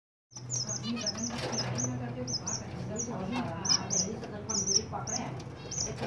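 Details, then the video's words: Zebra finches in the winter season: a busy run of short, high, sharp chirps repeated in quick bursts, with a low humming drone and murmuring voices underneath. "Zebra Finches Winter Season"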